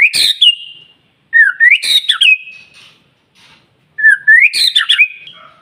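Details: Song of a white-rumped shama, played to spur other shamas into singing; three bursts of rising, warbling whistles, each opened by a harsh crackle and ending in a sustained steady whistle, with silent gaps between.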